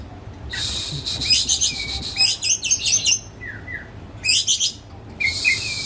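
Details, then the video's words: Oriental magpie-robin kept at home, not for competition, singing to lure another bird into song: harsh grating bursts broken by short falling whistles, with quiet gaps between phrases. "Kicau Kacer Rumahan Emosi Buka Ekor Ngeplong Terus"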